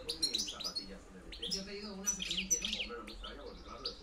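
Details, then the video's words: Short burst of European goldfinch 'campero' decoy song from 2013–2014: thin high twitters and a few sharp tinkling notes, accompanied by low background music. "JILGUERO RECLAMO 2013-2014 PEGANDO FUERTE CAMPERO"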